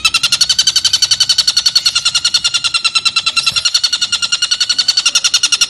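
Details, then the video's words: Long 'ngekek' laughing call of a stork-billed kingfisher, recorded as a master tape for teaching lovebirds: dense, strident notes repeated quickly and steadily with barely a pause, rich in high overtones. "MASTERAN BURUNG TENGKEK BUTO NGEKEK PANJANG"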